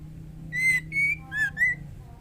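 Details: Female white-rumped shama calling to the male, in breeding condition: four clear whistled notes near the same pitch, each about a quarter second, the third dipping lower, over a low steady hum.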